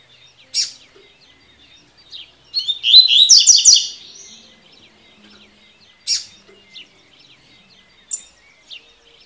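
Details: Double-collared seedeater song used for training birds to sing: a quick, bright phrase of rapid warbled notes, with a few sharp high chips spaced a couple of seconds apart.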